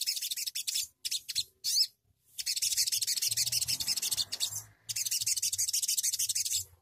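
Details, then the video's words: A crimson sunbird sings in rapid, harsh, scratchy high-pitched bursts of rolling trills, broken by short pauses, with a faint low hum underneath. "sogon nembak ngeroll ngleperr"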